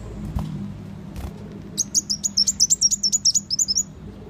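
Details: Sunbird lure call used for trapping birds that are hard to approach: a rapid series of about fifteen high, thin chipping notes, evenly spaced and slightly falling in pitch, over a low background rumble.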